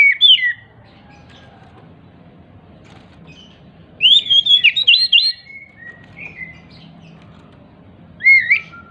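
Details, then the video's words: Oriental magpie-robin, described as agitated and hopping, singing to provoke silent magpie-robins into song. Short bright whistled phrases come in three bursts: a brief one at the start, a longer chattering run midway and a final quick flourish, with quiet gaps. "Pancingan Kacer MACET BUNYI, dengan Kacer EMOSI LONCAT INI, dijamin NYAUT GACOR KACERNYA"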